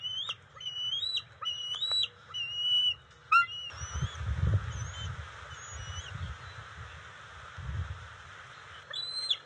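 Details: Bald eagles at the nest on 27 June 2021, the female delivering fish to the eaglets: a burst of high, whistled chirps with upward-flicking ends for three seconds, then sparse single chirps later, over low rumbling background noise.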